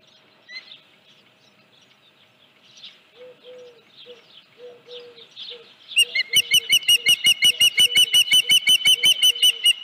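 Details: Osprey nest on the morning of 31 July 2018, about 9:43, with a headless fish. Six seconds of soft calls and low whistled notes, then a loud, rapid series of sharp chirps, nearly three per second.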